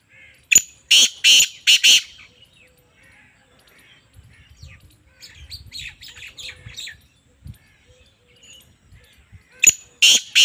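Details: Calling female black francolin: a rapid burst of four harsh, scratchy notes at the start, a stretch of softer chirping and low rumble, then the grating series begins again near the end.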